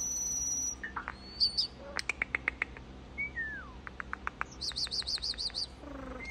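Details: Common starling song in slow motion: a varied medley of sustained high whistles, rapid clicking series, a falling slurred note and a warbling trill, each part changing abruptly.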